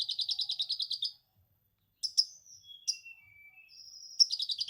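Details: Orange-headed thrush song full of lovebird 'ngekek' material: a fast chattering trill, sharp clicks and thin descending whistles, then a long high whistle leading into another rapid trill.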